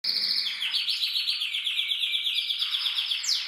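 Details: A red-agate mosaic canary cock sings a fast, continuous run of high, rolling trills, the pitch dipping and rising as the phrases change, with no other sounds.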